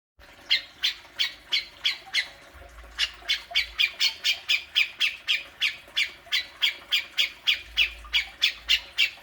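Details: Grey-cheeked bulbul giving besetan, a fierce challenging call played to provoke a kept bird into calling: harsh, broadband squawking notes repeated about three times a second, steady and loud throughout, with faint low hum behind.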